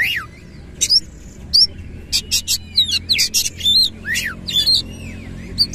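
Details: White-rumped shama in energetic song with its tail spread, a rough, harsh song run: sharp high buzzy bursts, quick chattering notes and a few falling slurred whistles in a quick, broken series, over a low background hum.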